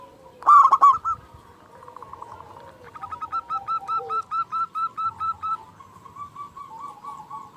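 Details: Local zebra dove, loud and eager to call, played as a lure for caged doves. One forceful pulsed burst opens, then a long even series of soft repeated coo notes follows at a steady pace.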